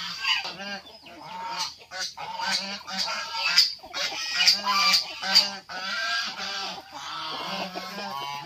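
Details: Farmyard white geese, housed with fighting cocks, honk rapidly and irregularly, roughly two calls a second, the brassy notes overlapping from several birds.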